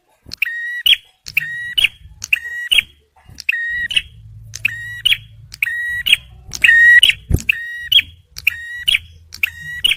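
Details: Male bar-winged prinia, used as a luring and prompting recording for stressed birds. Clicky, ringing phrases with sharp endings follow each other about once a second. A low hum and one sharp knock are also heard.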